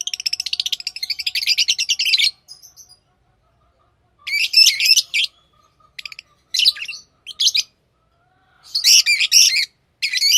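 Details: Lovebirds kept as tame pets chirp in rapid bursts of high, buzzy, twittering notes, several lasting about two seconds each, separated by short silences; no other sounds.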